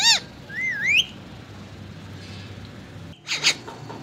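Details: Ring-necked parakeet speaking in Hindi: a quick harmonic, word-like burst, then a wavering rising whistle, a quiet pause and two short harsh syllables near the end.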